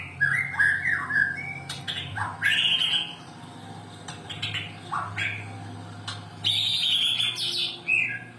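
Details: White-rumped shama song, used to stimulate reluctant birds to sing. Bursts of varied whistles alternate with sharp clicks and short chattering notes, arriving in uneven phrases over a constant low hum.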